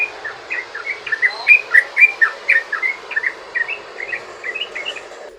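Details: Trucukan, the sooty-headed bulbul, giving long rapid 'ropel' song meant to lure other bulbuls into singing: quick liquid chirping notes, about four per second, loudest in the middle and fading toward the end, over faint background hum.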